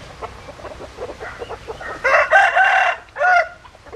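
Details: After a stretch of soft clucking, a rooster gives a loud, ringing crow of about one second, then a shorter final note.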